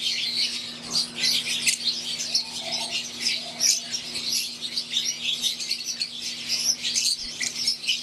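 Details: Green wild-type and Euwing Fischer's lovebirds kept in an aviary, many birds chirping at once in a shrill, unbroken twittering chorus, with a steady background hum.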